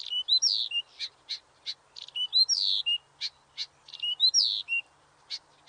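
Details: Nightingale song with a repeated phrase: a rising slurred whistle, then crisp staccato notes. The pattern comes back three times in quick succession against a quiet background.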